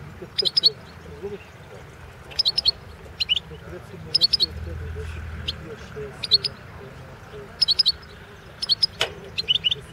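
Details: European goldfinch, subspecies Carduelis carduelis balcanica, singing for the 2016 internet world goldfinch song championship. Clipped twittering bursts repeat about every second and a half, with faint voices and a low rumble underneath.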